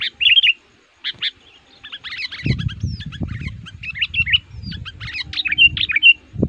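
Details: Sooty-headed bulbul lure bird, active and aggressive toward rivals, used to attract wild males: scattered bright chirps and warbled notes over a stretch of low rumbling handling noise.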